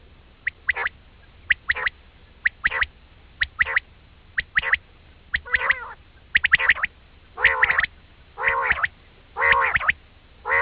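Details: Quail from a Pakistani quail-hunting recording gives sharp, clicking chirps in quick bursts about once a second, then fuller, nasal squawking notes; the background is otherwise quiet.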